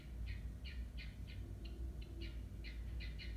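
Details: Guinea fowl calling noisily: harsh, grating notes repeated roughly three times a second in a steady series, with low background rumble.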